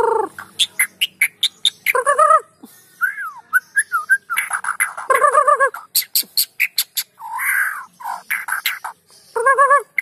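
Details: White-rumped shama singing as a lure for idle birds: rapid ticking notes, rich nasal harmonic phrases, liquid whistles and harsh rasping bursts, varied and nearly continuous.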